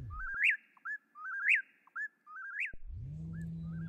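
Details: Eastern Whip-poor-will singing its nighttime whistled three-part phrase, a short low note then a sharp rising-falling whip, about once a second; a low hum enters near the end.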